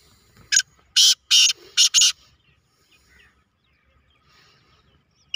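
Black francolin giving a loud, harsh, grating phrase of five rasping notes over about a second and a half, then a quiet pause before another note begins.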